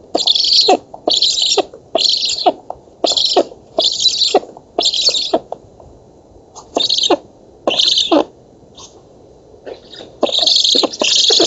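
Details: Black stork nestlings at feeding in a Polish oak nest, August 2017, giving repeated wheezy hissing begging bursts, a short lull with faint notes, then renewed louder bursts.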